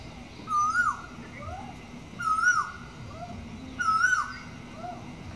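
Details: Asian koel in Nepal giving three clear, mellow whistled notes, each rising then dipping, repeated about every second and a half over a low background rumble.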